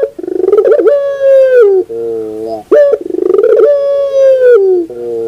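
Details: In the morning a puter pelung dove repeats its song: a throbbing rising start, a long even coo, a falling drop and a soft buzzy low note, twice in quick succession.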